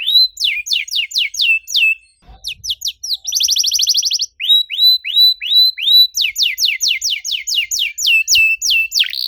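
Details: Canary singing as a lure for silent birds: bright whistled sweeps, a short break with a faint knock, a rapid buzzy trill, then repeated rising whistles and downward slurs.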